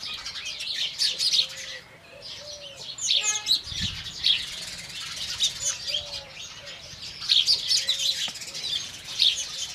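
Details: Indian house sparrows in the morning, a dense chorus of bright, overlapping chirps and tweets, with soft low coos from a dove repeated in the background.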